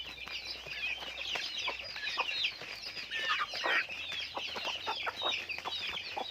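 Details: Chickens being raised on a farm, heard as a dense chorus of many overlapping high, short chirps and peeps, with rising and falling notes packed closely together throughout.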